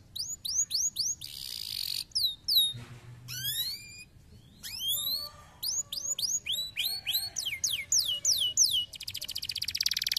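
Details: Canary song meant to stimulate lazy canaries into singing: groups of bright rising and falling whistled sweeps, broken by buzzy bursts, ending in a fast, steady trill.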